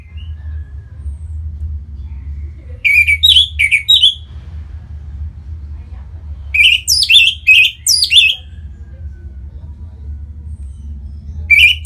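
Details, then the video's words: Kept Orange-headed thrush, Singaraja, Bali, singing as a lure for other birds. Short bright whistles repeat in quick groups, a first bout, a longer second bout with sweeping notes, then one note at the end, low hum throughout. "Punglor Merah Lagi Berkicau.. Untuk Pancingan Bunyi dan membuat Burung Jadi Singset Gacor dan Teler"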